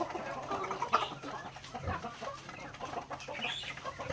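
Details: Native chickens pecking grain in a backyard during feeding; scattered clucks and brief squeaky notes over a steady background hum, with pecking knocks.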